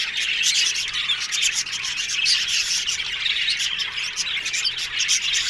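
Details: Australian budgerigars in an aviary colony, a dense, continuous wall of high chirps, squeaks and warbling chatter from many birds at once, with steady, busy texture throughout.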